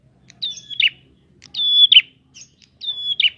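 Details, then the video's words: Prinia calling to goad other prinias: three phrases, each a sharp high whistle sinking into a long steady tone that breaks into a buzzy trill, roughly every second and a quarter. Soft low hum behind. "Prenjak gacor!!! Pancingan untuk burung prenjak bahan"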